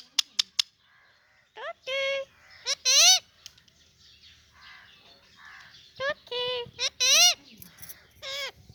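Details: Kashmiri ringneck parakeet talking indoors: drawn-out, wavering harmonic vocal sounds that rise and fall like speech, in bursts of about a second, mixed with sharp dry clicks and soft rustling between phrases.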